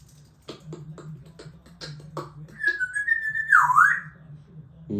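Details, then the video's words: An African grey parrot imitates an iPhone ringtone indoors: a run of sharp repeated clicks, then a steady whistled tone that wavers and dips, while a man talks to the bird nearby. "iPhone ringtone #talkingparot African grey parrot"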